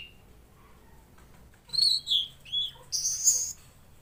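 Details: Mangrove blue flycatcher (tledekan laut) singing actively, a short burst of high, clear whistled notes sliding up and down, ending in a bright sharp flourish.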